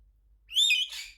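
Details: Pet Monk Parakeet (Quaker Parrot) calling indoors after being asked to say yes, just before being offered a crisp: a single harsh, buzzy squawk with a rising then falling sweep, lasting about half a second, followed by a softer rasping tail.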